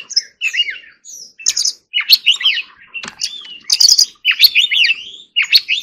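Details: Oriental magpie-robin practising its forest-style song, a rapid jumble of sharp clicks, buzzy chips and twisting whistles in dense bursts with brief gaps between.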